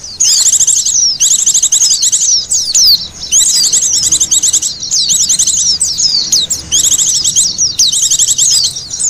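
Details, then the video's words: High, thin chattering of Oriental white-eyes played to lure birds, in repeated bursts of fast trilled notes about every second, each ending in slurred chirps. "SUARA PIKT BURUNG PLECI PALING AMPUH...."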